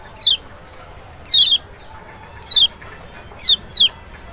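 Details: Kecial (Lemon-bellied white-eye), a sound meant to provoke a lazy bird into responding: five crisp downslurred high notes spaced about a second apart, the last two close together.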